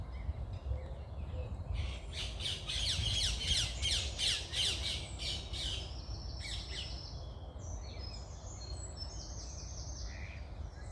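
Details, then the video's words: Morning birdsong outdoors: a burst of loud, rapid, buzzy chattering notes between two and five seconds, followed by thinner high whistles and twitters from several birds, over a steady low rumble of background noise. "Start your day with birds singing"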